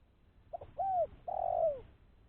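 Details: Lure call of a spotted dove for catching other doves: two quick soft notes, an arched coo, then a longer slurred coo falling at the end.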